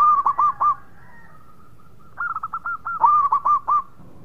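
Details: Local zebra dove: a short quick phrase of four soft coos, a pause of over a second, then a longer faster run of staccato cooing notes that build in loudness.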